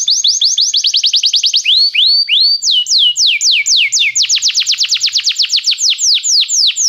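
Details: Belgian canary song meant to warm up a canary: steady runs of rapid, sharply downslurred whistled notes, several per second, with the speed and note shape changing between phrases.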